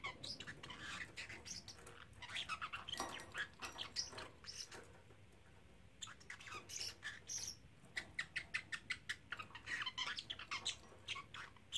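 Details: Male parrotlet aged three months saying phrases such as "Silly Birdie Bird" repeatedly; busy strings of raspy chattering syllables, a brief quieter gap, then rapid, evenly spaced sharp chirps at the close.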